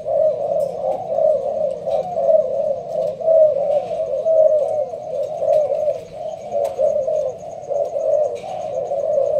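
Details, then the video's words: Caged Malaysian spotted dove under leaf cover, giving sparse-style rapid cooing. Dense, throaty coos run continuously at about one per second. A faint rhythmic high ticking sounds in the background. "Con trong lụp lá, Malaysia thúc gù bài thưa. thích hợp ae nuôi kiểng nghe gáy gù."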